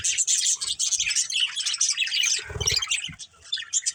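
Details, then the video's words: Budgerigars, a breeding pair, chattering in a steady stream of high, rapid chirps and scratchy warbles, with a short low rumbling knock midway. "Cute Budgies Chirping Sounds | Love Birds Breeding Pair | Budgies Family"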